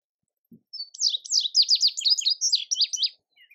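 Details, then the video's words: A male Indigo bunting sings a quick, high, sweet series of paired and slurred notes lasting about two seconds, with a faint low thump before it. "Indigo Bunting Song"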